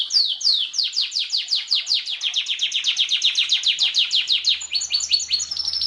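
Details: Canary song recorded as a masteran tutor track: a fast series of repeated downward-sweeping whistled notes, about five per second, ending in quicker high trills with a faint low hum late on.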